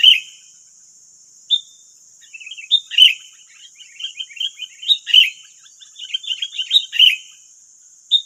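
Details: Wild sooty-headed bulbuls calling back to a decoy bird in West Lampung, Indonesia: loud bubbly chirps mixed with fast, busy chattering notes, several birds overlapping, over a steady high insect buzz.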